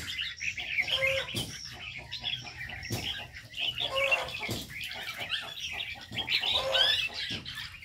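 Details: Aviary birds chattering: a dense stream of high, thin chirps and tweets from many birds at once, with faint low coos underneath and several sharp wing claps.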